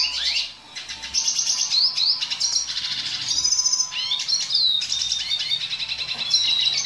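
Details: Red siskin song, a dilute mutation, recorded to teach young birds to sing quickly. The song is a fast high twittering with trills, buzzy rattles and sweeping whistled slurs, delivered in continuous bursts.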